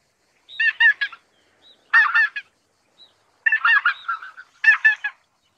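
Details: Greater white-fronted goose: four short bursts of rapid, stacked, cackling honks about a second apart, with the background otherwise quiet.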